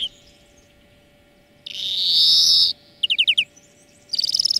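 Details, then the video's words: European greenfinch in a training song lesson: a long, loud, nasal buzzing wheeze of about a second, then five quick sliding whistled notes and a closing buzzy rattle. "Florya Ötüm Dersi"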